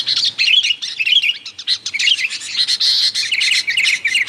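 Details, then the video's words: Vigorous, noisy sooty-headed bulbul calls for luring wild birds: tumbling chattery chirps and quavering whistled notes, a softer patch around one and a half seconds, then dense calling again. "mp3 suara burung kutilang ribut gacor, 💯% sangat ampuh buat Pikat kutilang liar"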